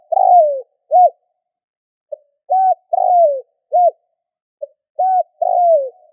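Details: Spotted dove calling to stimulate other doves: long falling coos alternating with short arched notes and soft clicks, a busier, faster rhythm of repeated phrases.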